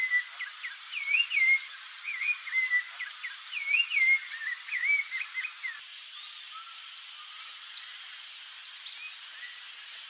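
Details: Saffron finch (Sicalis flaveola), song.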